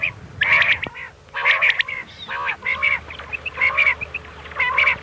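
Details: Nasal, harmonic-rich mewing notes of common quail, the 'miankan' type used to lure birds at night, repeated about once a second with a constant low hum beneath.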